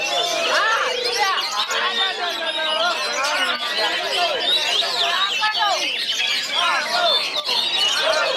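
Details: Competing Oriental magpie-robin (kacer) chattering nonstop (ngoceh) at a regional song contest in Kisaran, 23 February 2020, its beak never resting: dense torrent of sweeping whistles, squeaky slurs and scratchy notes, with commentary and crowd voices behind.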